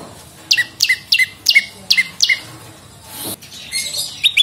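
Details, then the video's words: Prinia (prenjak lumut) calling hard as a lure recording: a run of six bright, falling two-tone chirps at a brisk pace, then a gap and softer, scratchier high notes. "SUARA BURUNG PRENJAK LUMUT GACOR !! PANCINGAN BUNYI"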